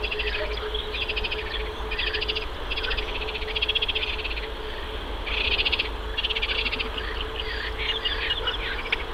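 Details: Mallard ducklings swimming on a river in May while searching for food, giving loud bursts of rapid high-pitched peeps in runs of about a second, with brief pauses between, over constant low background rumble.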